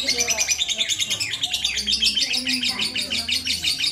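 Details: Lovebird chattering while being held by hand: fast, shrill, rhythmic chirps about three per second, harsh and buzzy, with low engine hum and faint human sounds underneath.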